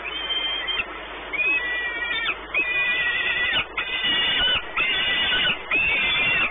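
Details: Peregrine falcons at their nest at Orlen, Płock, Poland, on 28 May 2019: a chain of strained, harmonic wailing calls, some dipping slightly in pitch, repeated with short gaps.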